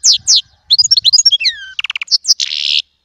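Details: Small European goldfinch song: two sharp descending chirps, then fast liquid twittering, a falling whistled slur, a rapid trill and a harsh buzzy nasal note.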